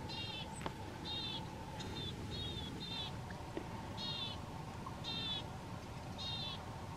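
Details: Marsh or willow tit singing loudly on 31 January 2022 near a feeder: clear nasal notes in short pairs, gaps between groups, roughly one note per second, with a low electrical-like hum throughout.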